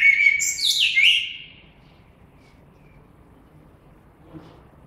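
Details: A single mellow, whistled blackbird phrase lasting about a second and a half, ending in a high scratchy flourish, followed by near silence with one faint soft tap.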